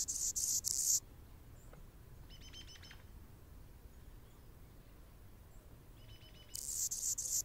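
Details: Male Anna's hummingbird defending territory near a nest where a female feeds a baby: a second of loud hissing buzz opens and closes the stretch, with soft rapid ticking and quiet background between.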